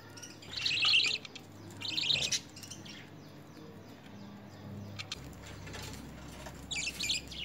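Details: Lovebirds in initial hand-feeding training with spinach and coriander start with two loud, rasping buzzy bursts, fall quiet amid low hum and soft clicks, then give a final short harsh call.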